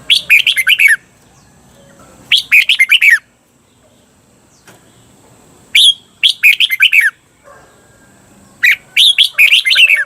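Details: Red-whiskered bulbul song played in Thailand to teach cage birds the long doubled 'beun' phrasing: four bubbly phrases of fast, stuttering whistled notes, each under a second, separated by brief gaps.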